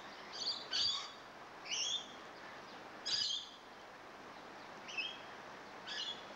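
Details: Rainbow lorikeets that have just moved in give harsh, shrill screeches in short bursts, about six over six seconds, some doubled, over a steady background hiss.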